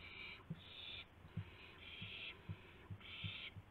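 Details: Owls at dawn, 5:50 AM on March 26, 2016, with a gopher and a mouse brought as prey; harsh breathy hissing bursts of about half a second recur, with soft low knocks and thumps between them.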